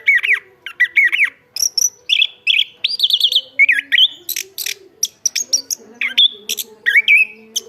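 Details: Chestnut-capped thrush in full song: looping whistled warbles, steady whistled phrases, sharp high chips and buzzy notes, delivered in rapid varied bursts.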